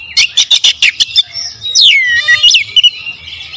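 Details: Powerful oriental magpie-robin song used as a lure: a burst of about eight sharp staccato notes, then a swooping downward whistle and buzzy trills.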